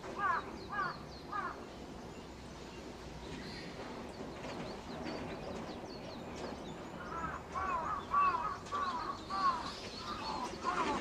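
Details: Australian magpie from a family raising chicks outdoors: a short series of arched, harmonic calls at the start, then a longer run of repeated calls about half a second apart, over a steady twitter of other birds.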